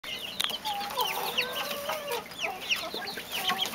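A group of Mexican speckled bobwhites chattering: many quick, high chirps and short rising notes overlap with a few lower, drawn-out tones, steady throughout.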